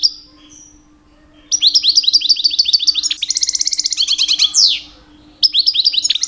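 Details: Two-year-old pet European goldfinch singing a rich mating-season song to attract females; after a brief whistle and pause, a long run of rapid twittering notes, a buzzy rattle and a falling slur, then twittering resumes.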